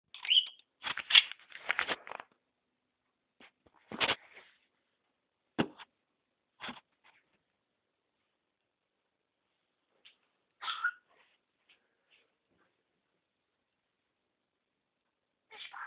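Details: A talking, swearing budgerigar chatters indoors in quick, scratchy bursts, mimicking speech between short pauses.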